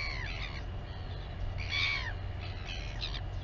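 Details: Royal albatross mother feeding her chick in the colony at Taiaroa Head near Dunedin, New Zealand; short hoarse bleating calls with falling tones, the loudest near the middle, over constant low wind-like rumble.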